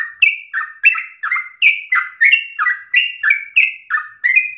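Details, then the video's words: Long-breathed, forceful yellow-vented bulbul song meant as easy-to-copy tutoring for other birds. Chirpy paired notes slide downward, delivered in a brisk, steady stream of bright bubbling phrases. "Trucukan gacor ropel ngotot nafas panjang ini cengkok paling gampang ditiru trucuk bahan"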